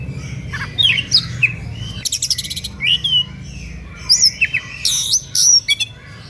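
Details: Energetic song of an Oriental magpie-robin, meant to stir other magpie-robins into singing; quick chattering whistles, a rapid buzzy rattle, swooping notes and high ringing phrases packed closely together.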